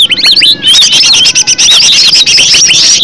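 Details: Green leafbird, original natural voice used as a lure to prompt other leafbirds to sing: dense, loud run of high whistled, slurred and looping notes, quick chirps and buzzy bursts, delivered almost without pause.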